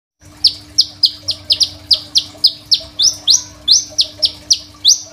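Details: Crimson sunbird song, recorded on an Oppo A37f phone as master song for training other sunbirds: a steady series of about fourteen sharp, high chipping notes, each a quick slurred sweep, repeated roughly three times per second over a faint low hum.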